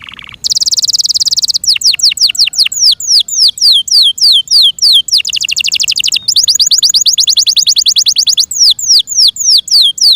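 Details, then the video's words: Caged Yorkshire canary in loud continuous song, mostly long series of fast, steeply falling whistled notes repeated about three per second, broken by dense buzzy rolls. "THE BEAUTIFUL SOUND OF FI YORKSHIRE CANARIES"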